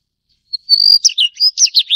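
Daurian redstart giving a thin, steady whistle around high pitch, then a quick run of sharp, buzzy chirps and ticks; no other sounds.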